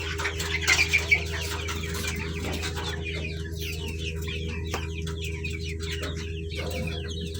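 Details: A crowd of colourfully dyed chicks: quick descending peeps pile up continuously, several birds calling at once, a brief louder burst near the start, with a constant low hum underneath.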